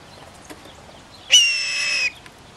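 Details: Blue jay swooping in for peanuts put out: after faint ticks, one loud, harsh, nasal call held steady for about three quarters of a second, ending sharply.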